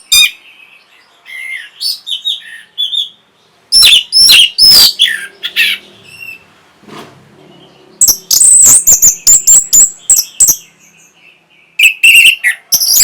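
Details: Varied orange-headed thrush song intended to stimulate breeding and replies: low-level whistled phrases build into clusters of loud strident notes, with fast runs of sharp high chirps after short pauses.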